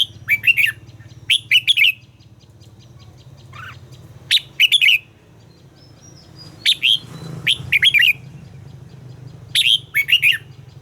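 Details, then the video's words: Red-whiskered bulbul in song training repeats short, bright warbled phrases of two to four clipped notes every second or two over a steady low hum. "luyện giọng chào mào hót hay - căng lửa, chào mào hót quá phê"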